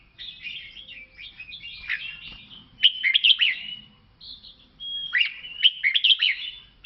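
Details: Singing red-whiskered bulbul, Lao type: a run of fast, chattering, liquid notes followed by louder bouncy whistled phrases with clear piping accents, pausing briefly before another lively burst.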